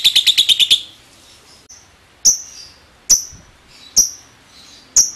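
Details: Lovebird ngekek chatter, used to prompt other lovebirds into chattering: a brief rapid burst of high notes, then sharp single chirps spaced about a second apart.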